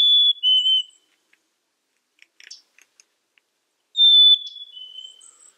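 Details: Black-capped chickadee song: a clear whistled high note falling to a lower one, heard twice with a pause of soft clicks and chips between.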